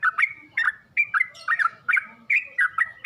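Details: Short burst from a yellow-vented bulbul training recording for birds to learn singing: paired chirps with sliding tails, spaced roughly every half second, bright and clear.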